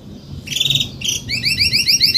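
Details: An adult canary of the Spanish Timbrado breed sings in salsa style: a short buzzy roll, a brief pause, then a fast series of bright rising-and-falling notes repeated several times a second.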